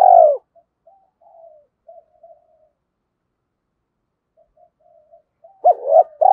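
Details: Spotted dove calling, played as a lure to stir a decoy dove into cooing: a loud low coo opens, soft murmured notes trail through a long quiet stretch, and a two-part coo returns at the end.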